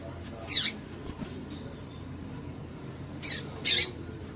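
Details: Female double-collared seedeater calling to excite a male into singing. Three short, harsh, high-pitched chips: one near the start, then a close pair about three seconds later, over a faint steady background hiss.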